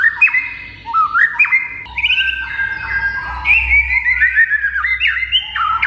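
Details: White-rumped shama (murai) master song: rich rising and falling whistles with sharp clicks, shifting into long sliding notes and quick descending trills, loud and continuous, with low rumble underneath.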